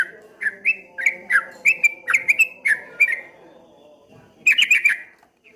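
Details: Streak-eared bulbul with a ropel ngombak banyu song: a run of fast whistled notes for three seconds, a short pause, then a brief burst of tightly packed chirps.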